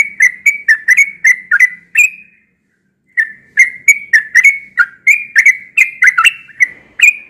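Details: Melodious yellow-vented bulbul song, said to be heard often in the morning: quick chains of short, slurred whistled notes in two bursts separated by a silent gap of about a second, with a faint low hum beneath.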